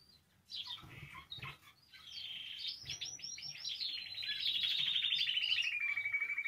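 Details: Canary song used to encourage canaries to sing: quick chirps lead into a fast buzzy rolling trill that gradually descends in pitch, notes repeating about three times per second and growing louder toward the end.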